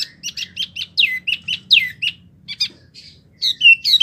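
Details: Wambie mini songbird described as singing busily, suited as training material for competition birds: a run of quick, descending chirps repeated about every quarter second, a brief pause, then sharper rising whistled notes, over a faint low hum.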